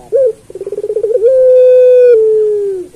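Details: Turtle dove of the puter pelung type giving one master phrase for teaching other pelung doves: a brief opening note, a quick stuttering trill, then a long, drawn-out, level coo sliding gently downward at the end.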